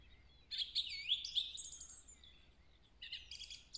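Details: A song thrush in woodland, 3 April 2020, sings a bright, varied phrase of high whistles with a looping slurred note, then a quick burst of repeated chirpy notes, a phrase likened to the Woody Woodpecker song.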